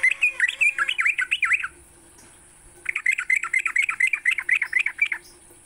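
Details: Sooty-headed bulbul in the morning, recorded as a training lure for songbirds: a fast chattering burst of looping whistles, about a second of silence, then another lively run of repeated notes, steady background hiss.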